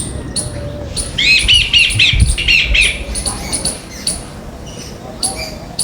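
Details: Jungle babblers, a flock visiting a house in India for food, give a burst of harsh, rapidly repeated chirps for about a second and a half. Sharper ticks and clicks sound throughout, and a low thump falls in the middle.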